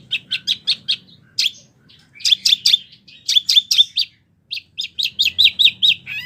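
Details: Wambi singing in short bouts of quick, evenly spaced chirps, four to eight notes each, separated by brief silences; used as a training recording for oriental magpie-robins and other birds.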